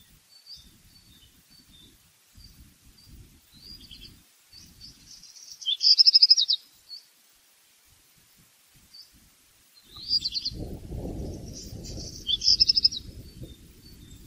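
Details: Black redstart singing: two clear high phrases, each a scratchy rattling burst with rapid buzzy notes, separated by pauses, with faint distant high calls in between and low rumbling background noise.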